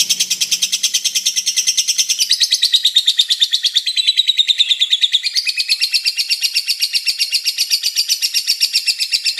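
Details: Long chatter from a lovebird: dense, fast, buzzy chirping held high, the pitch band shifting down and back up midway, pulses racing on without a break.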